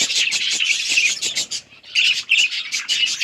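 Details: Group of budgies chirping as they play with each other, October 30, 2023: rapid high chattering chirps and grating squawks, a short lull near the middle, then the busy twittering resumes.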